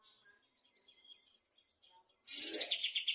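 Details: Bulbul singing in the afternoon: soft scattered whistled notes with pauses, then an abrupt loud burst of rapid trilled notes at the end.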